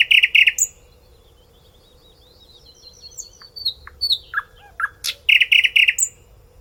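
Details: Nightingale singing: loud buzzy bursts of rapid repeated notes, a pause, then scattered sharp whistles and clicks before another harsh repeated burst and a high whistle; steady low hum underneath.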